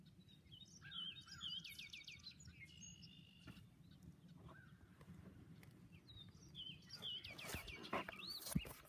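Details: Red-winged blackbirds, several birds, calling together: harmonic whistled notes and a buzzy trill mid-clip, more clear notes near the end, over steady low rumbling background noise.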